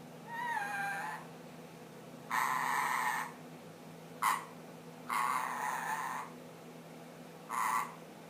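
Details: Pet ring-necked parakeet, 10 months old, starting to whistle the Addams Family song: five separate held whistled tones of uneven length, some long, one very short, with pauses between, over faint indoor hum.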